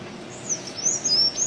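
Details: Sayaca tanager (Thraupis sayaca) singing free in the wild: a quick run of thin, very high, squeaky notes and a few brief slurred whistles within a second or so, over faint background hiss.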